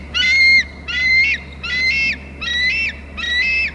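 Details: On Hornby Island, a bald eagle at its nest screeches loudly as another eagle comes in: five piercing, stuttering squealed notes, each ending in a downward slur, spaced evenly under half a second apart, with a constant low electrical hum.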